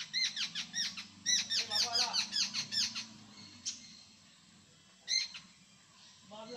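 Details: Loud, rapid jungle babbler chattering in Konkan, India: a three-second string of harsh, squealing notes, then silence broken by a single sharp call and a soft sound at the end.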